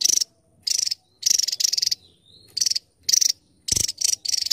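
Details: Song of the Javan tesia: piercing, high, rattling trill bursts repeated at uneven intervals, with a soft thin whistle in one pause.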